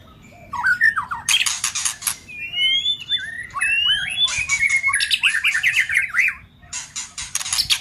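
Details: White-rumped shama singing with harsh 'tạch' clicks, used to rouse listless or young shamas: rising and falling whistled phrases alternate with dense bursts of sharp broadband clicks, then a long upswept whistle and more rapid clicking.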